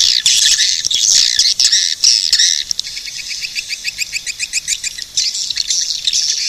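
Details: Swiftlets twittering in a dense, high, shrill chorus, then a run of quick buzzy chirps repeated about four times a second toward the end.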